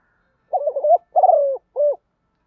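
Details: A single cooing phrase from a spotted dove kept as a decoy to attract birds: a wavering, broken coo, a long level-then-falling coo and a short final coo.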